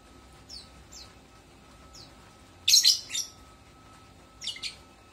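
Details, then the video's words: Several faint, thin, downslurred tweets from a lovebird lead into a loud cluster of harsh, scratchy chirps. A shorter double chirp follows near the end. "Kicauan burung lovebird"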